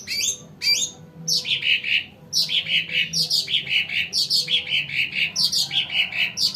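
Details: Sumatran cucak ranting, used for luring birds, opens with swooping high notes then delivers rapid rolling series of bright chirps, phrase after phrase.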